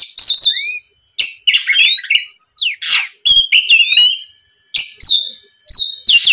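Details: Oriental magpie-robin belting out a lively lure song to provoke a rival: scratchy bursts alternating with clear rising whistles, in short phrases broken by regular pauses.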